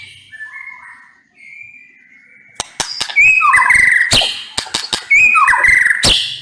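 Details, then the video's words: White-rumped shama, or murai batu, with soft drawn-out whistles at first, then an abrupt volley of loud snapping clicks and ringing whistled phrases that rise and fall, repeated rapidly. "MURAI BATU NEMBAK PEDES"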